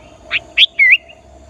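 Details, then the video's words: Sooty-headed bulbul singing to draw in wild bulbuls during trapping practice: one brief phrase of two soft notes followed by a sliding, rising whistle. "Kutilang Gacor Memancing Kutilang Liar"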